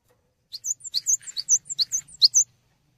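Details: Cinereous tit (Parus cinereus) song, a quick run of about a dozen high, sharp chirping notes in two seconds with no other sounds, offered as a lively master song for training songbirds.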